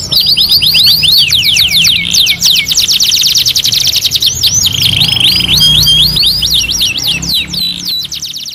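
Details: Canary song alternating between rapid chip trills and sweeping whistled slurs, with a steady flat buzzy tone in the middle before more fast, looping phrases.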